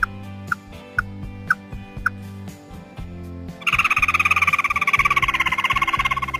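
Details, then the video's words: A red-eyed songbird (chim mắt đỏ) gives short clear notes about twice a second, then breaks into a fast, buzzy chattering trill, with steady background music throughout. "Tiếng chim mắt đỏ tí nỉ"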